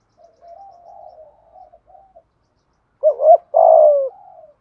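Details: Spotted dove in thúc gù driving-coo style meant to excite decoy doves: soft, low murmuring coos at first, then a loud wavering two-part note and a long falling coo near the end.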